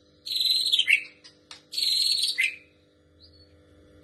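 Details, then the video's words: Two long, harsh, buzzy high-pitched bursts, each dropping at the end into a short lower note, from a white-rumped shama imitating a female prinia, with a faint low hum throughout. "Murai batu Trotol membawakan materi prenjak betina"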